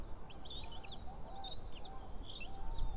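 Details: At a White-tailed eagle nest camera, April 2016, the female is feeding three newly hatched chicks. High, thin arched whistles repeat about once a second, each followed by a faint lower note, against a quiet background.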